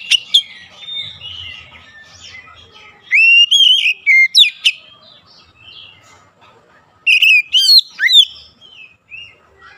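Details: Oriental magpie-robin singing as a lure to make other magpie-robins sing: soft twittering opens, then two strong phrases of drawn-out whistles and snapping notes, trailing off into faint warbles.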